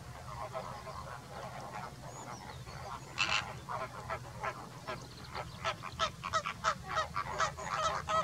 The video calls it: Greater Flamingo, Fenicottero rosa (Phoenicopterus roseus)